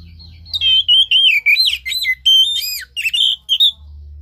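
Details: Oriental magpie-robin song used to coax a silent caged bird out of low breeding condition: rich, varied whistles with dipping and rising slurs, about ten rapid phrases, over a faint low hum.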